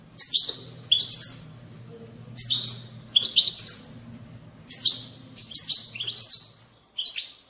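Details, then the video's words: European goldfinch bitbita twittering, used to get other goldfinches singing. Dense clusters of high, tinkling notes come in quick groups separated by short pauses, with a low steady hum underneath. "أقوى بتبتة لتحفيز الحسون على التغريد"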